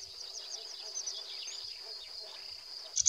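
A sedge warbler chatters rapidly in a run of short, scratchy, high chirps, over a steady high insect-like whine.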